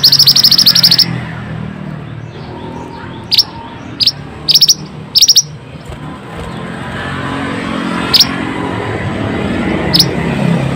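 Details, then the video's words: Pied bushchat singing gacor, played to restore song in stressed or silent birds: a dense rattling burst of high notes opens, then scattered single and paired sharp chips follow at irregular intervals over rising background rumble. "Pancingan burung Mantenan gacor ll Cocok untuk burung mantenan malas bunyi"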